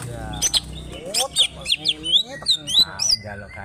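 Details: Banyuwangi greater green leafbird from Alas Purwo, singing its harsh, powerful trok-bul fighting song with tail spread, alternates loud metallic chirps with rising and falling whistled slurs in a lively, uneven stream.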